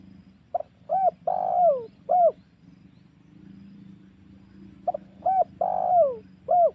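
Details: Spotted dove lure call, used to provoke wild doves for hunting at home or in forest: two phrases, each two or three short rising coos then a long, drawn-out descending coo and a final clipped coo, low hum beneath.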